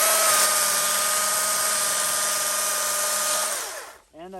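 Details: Steady whining drone of a power tool with faint speech, cutting out near the end before a brief harmonic voice-like sound; no animal heard.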